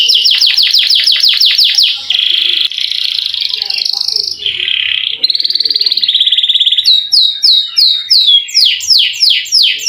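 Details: Canary singing a long roll to stir lazy canaries: a quick series of falling strokes, buzzy sustained tones shifting in pitch, then repeated hooked whistled notes near the end.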